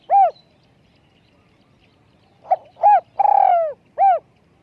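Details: Spotted dove used as a decoy, small-voiced; the end of one phrase opens, then after a pause a full phrase follows: short note, round coo, long rolled falling coo, and a final rounded coo.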